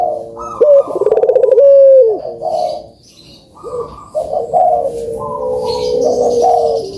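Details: Layered puter dove coos, meant to rouse lazy birds into song: a rapid rolling coo, a falling note, then a brief lull before overlapping drawn-out coos.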